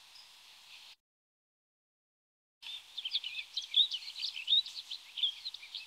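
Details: Rustic bunting (Emberiza rustica): after a brief hiss and a silent gap, rapid high twittering of short chirps and slurred notes runs unbroken for about three seconds.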